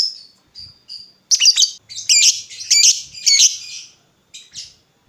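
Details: Lovebird used as a lure to make other lovebirds answer: a few thin, high whistles, then four loud, shrill, twisting squawks in quick succession, followed by fainter chirps.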